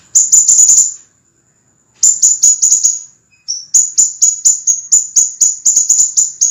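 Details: Scarlet minivet master recording used to train cage birds, with clear, piercing, high whistles in rapid bursts of downslurred notes, separated by a pause of about a second, then a long steady run of repeated notes.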